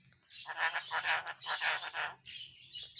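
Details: A talking pet rose-ringed parakeet chatters in a run of four or five rapid, raspy, speech-like syllables, then gives a thinner, squeaky trailing note.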